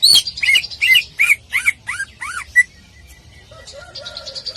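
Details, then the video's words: Greater green leafbird contest-training song: quick run of bright whistled notes sliding downward, each slightly lower and arched, then a pause followed by faint thin whistles and softer lower warbling. "Masteran Cucak Ijo Full Tembakan Paling Dicari Oleh Juri Lomba"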